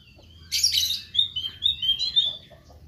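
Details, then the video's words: Meranti bird singing actively: a harsh buzzy burst followed by a string of clear, high, slightly wavering whistles run together, with a quiet low hum underneath. "Burung Meranti Gacor"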